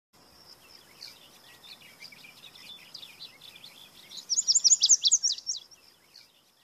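A Lazuli bunting gives a quick burst of high, sharp, jumbled notes after softer scratchy phrases. A steady high insect-like whine runs underneath.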